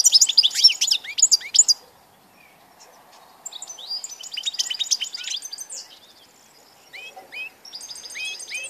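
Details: European goldfinch recorded 16 March 2014: bursts of rapid twittering notes with sharp downward slides and bright high trills, separated by a pause and quieter returning phrases.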